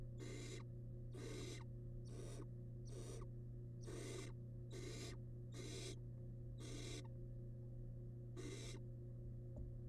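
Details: Barn owl nestling, wild, in a research nest box camera while devouring rabbit remains, giving rhythmic harsh rasping hisses, about ten bursts roughly one second apart, over constant low hum.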